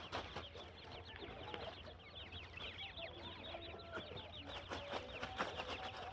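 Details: Grey francolin chicks being fed, giving a dense chorus of thin, high, downslurred peeps that overlap in quick succession, with soft clicks and a low steady hum underneath.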